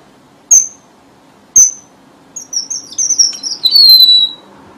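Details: Red avadavat lure call for trapping: two sharp high chips a second apart, then a run of thin, sweet whistled notes sliding gently downward over a soft hum.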